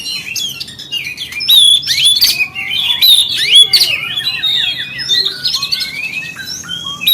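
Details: Provocation song of the Oriental magpie-robin, aimed at other magpie-robins: a busy stream of clear whistles, descending slurred notes and harsh chirps, dense in the middle, tapering to thinner whistled phrases near the end.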